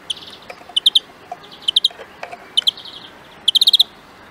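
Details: Greenfinch in a huylandırma session sings quick clusters of bright, ringing chirps and short rattling trills. The clusters come in bursts over quiet background hiss, with the densest run near the end.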